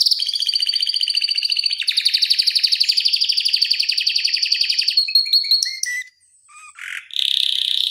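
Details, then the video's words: Long, dense canary trill from a tutor recording for teaching and stimulating other canaries. About five seconds of rapid pulsed rolling, then scattered sharp chips, a brief gap and a renewed buzzy roll. "Kenari Masteran Suara Gacor Ngeroll Panjang Untuk Pancingan Maupun Masteran"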